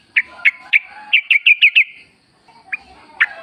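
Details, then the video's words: Sooty-headed bulbul singing in the wild, used as a lure to make caged birds sing: a series of short bright chirps, about eight in quick succession, then a pause and two more isolated notes. "trucuk gacor ngalas full suara alam ampuh buat pancingan agar bunyi jadikan trucukmu gacor nyaut"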